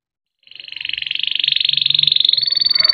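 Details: A canary holds one long, rapid rolling trill of about twenty even pulses a second, staying high and slowly climbing in pitch. It is a long song used as a tutor or trigger for young canaries, with nothing else heard.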